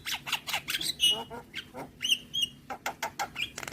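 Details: Javan myna pouring out a full-fill song: rapid scratchy notes, a few clear level whistles, and brief downslurred chips in quick irregular succession.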